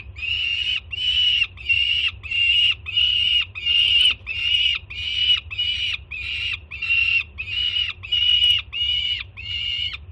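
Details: Juvenile peregrine falcon at a Jersey City nest-cam site on 24 June 2017, screaming loudly in excitement as its mother arrives with breakfast; harsh, buzzy, harmonic screams repeated steadily about every 0.7 seconds, with a low hum beneath.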